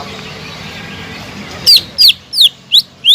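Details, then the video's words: Greater green leafbird singing strongly, played to spur a silent leafbird: a soft hiss, then five loud, clipped whistled notes roughly every third of a second, some slurring down, the last rising. "PANCINGAN CUCAK IJO GACOR EFEKTIF MENAIKAN EMOSI CUCAK IJO MACET BUNYI"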